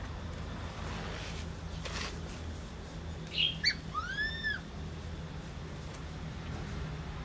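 A laughingthrush gives one brief phrase: a few sharp high notes, then a run of four clear, arched whistles, over a steady low background hum.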